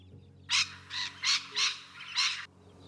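A Rainbow Lorikeet gives five harsh, raspy screeches in quick succession, about two a second, over faint low background music.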